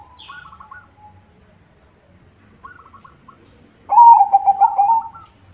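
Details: White zebra dove singing actively, used to lure other zebra doves: faint trilled cooing phrases near the start, then a loud, rapid burst of staccato rolling coos in the last seconds.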